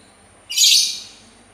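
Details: Sultan tit uttering one loud rasping, buzzy high note that tails off gradually.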